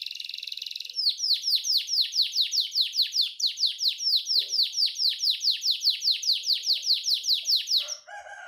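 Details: Canary song used as a long training recording for caged birds, called unique cengkok: a fast, even trill of high downslurred chirps, about five per second for seven seconds, after a buzzy opening.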